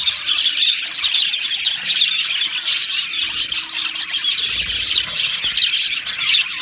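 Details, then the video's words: A budgerigar colony in an aviary sings and chirps: thick, high warbling chatter with short harsh squawks and a couple of clear upward whistled notes among the crowd. "Beautiful Budgies Birds Singing and Chirping Sounds"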